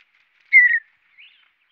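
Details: Mountain bluebird chirps: a single soft, slightly descending whistled note, followed about half a second later by a fainter, higher, brief note, with an otherwise quiet background.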